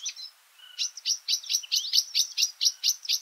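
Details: Varied sittella feeding party near Kinchina and Mannum, South Australia, giving a rapid run of high, sharp chattering chips, about four per second, with a brief lower whistled note near the start.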